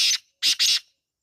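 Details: Fragment of a wild black francolin call: a harsh buzzy note followed by a tight pair of grating, rasping notes, ending abruptly.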